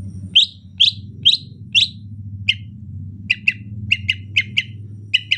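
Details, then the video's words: Greater green leafbird, rainy season, giving its gentle chatter: four louder ringing chips, then lighter rapid paired chips, repeated roughly twice a second, with a low steady hum underneath. "ocehan lemas cucak ijo musim penghujan"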